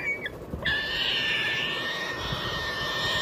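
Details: Triton cockatoo (Cacatua galerita triton), screech.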